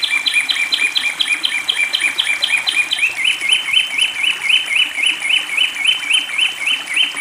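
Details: Long-tailed shrike singing during water therapy: rapid, regular chirped notes about four per second that shift down to a new pitch midway and carry on evenly, with a continuous high whine and background hiss.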